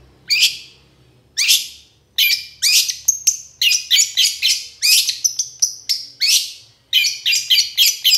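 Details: Long-tailed shrike sound played to provoke lazy birds: a series of loud harsh, scratchy notes, spaced at first and then coming faster, mixed with short whistles.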